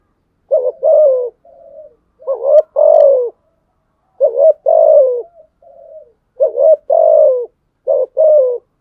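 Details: Spotted dove calling to challenge rivals: a steady run of low two-part coos, each a short rising note and a longer falling one, with quieter murmured notes between phrases. Nothing else is heard.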